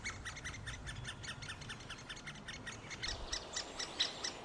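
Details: Great spotted woodpeckers at a nest, after three weeks of feeding nestlings that are almost ready to fledge: a rapid run of high, dry, clicking chatter notes, several each second, growing louder and harsher, over a low rumble.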